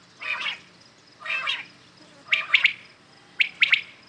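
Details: In the morning, common quails give two low, breathy notes, then two bright, quick three-note calls, evenly spaced, over faint hiss.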